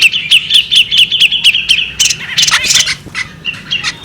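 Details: Evenly spaced bright chirps from a female bearded magpie robin, about four per second, then a busier scratchy twittering passage and softer scattered notes.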